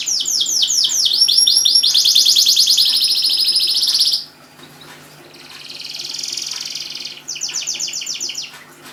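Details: Canary song aimed at getting silent canaries to sing: fast swooping notes run into a loud, dense high trill lasting several seconds, a pause, a softer rolling phrase, then quick repeated chips.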